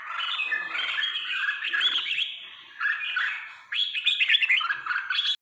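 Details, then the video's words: Three-season trà my red-whiskered bulbul giving bursts of warbled, slurred whistles in short phrases separated by quieter gaps, the last burst bright and quickly rising. "chào Mào trà my 3 mùa chửa ngoái thành công"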